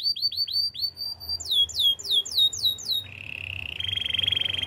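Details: Training song of a canary: repeated falling whistles, a quicker series of sweeping slurs, then a steady low rolling buzz that continues to the end.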